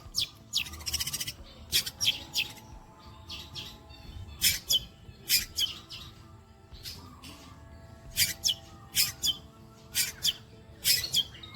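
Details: Long-tailed shrike singing mimicked phrases, called kuntilanak, greja, petir and walang kecek shots: harsh, scratchy high bursts in clusters of two or three, separated by short pauses, with faint low hum beneath.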